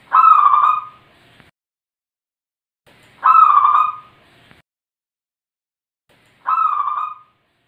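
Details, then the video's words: Zebra dove singing vigorously in the wild: three short, rolling, cooing phrases, each about a second long, repeated roughly every three seconds, with quiet pauses between and no other sounds. "Suara Perkutut"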